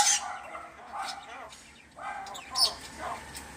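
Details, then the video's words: Talking myna bird uttering two separate word-like phrases with rising and falling voice-like tones, then a sharp high click, with quiet background hiss between the phrases. "myna bird speaking"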